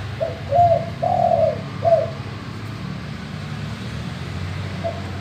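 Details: Male spotted dove giving deep 'gembur' or 'bongor' manggung song, meant to coax other doves into calling: a phrase of four soft hollow coos, the third longest and falling, then a faint single coo, with low rumbling background.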